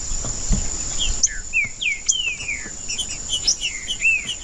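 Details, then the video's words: Singing green-winged saltator meant to warm up a silent one: a long chain of sweet, downward-sliding whistles and shorter clipped notes, steady and repeated throughout, over a faint continuous high whine. "TRINCA-FERRO CANTANDO/ESQUENTAR TRINCA FERRO FRIO"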